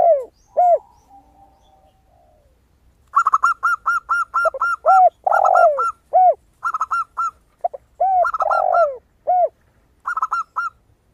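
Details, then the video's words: Crystal-voiced zebra dove singing steadily as a lure. Quick runs of high, clipped cooing notes repeat in bursts, mixed with lower, rounded spotted dove coos throughout. "PERKUTUT GACOR suara kristal"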